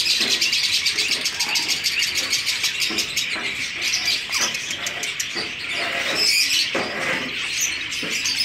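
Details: Caged breeding colony of zebra finches giving rapid, overlapping high-pitched chirps, many birds calling at once in a busy, uneven chatter that rises and falls throughout.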